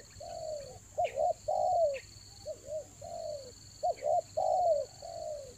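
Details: Spotted dove used as a lure at Toba in the rainy season gives a string of low coos: paired short notes alternating with longer descending ones, plus brief faint chirps and a continuous high whine.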